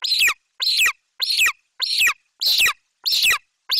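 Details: Juvenile golden eagle in a Bucovina nest screaming excitedly for prey brought by its mother; loud, raspy, high screams with falling tails, seven in under four seconds, closely spaced.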